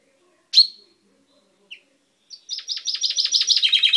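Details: Pet chaffinch with a recently purple beak singing, recorded 10 May 2012: a sharp single call, a soft chip, then a fast series of high down-slurred notes descending into lower trills.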